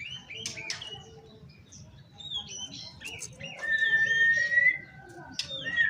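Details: Oriental magpie-robin singing to provoke rivals and call opponents: a varied run of whistled notes and short chirps, ending in long steady whistles at one pitch, with a low background hum.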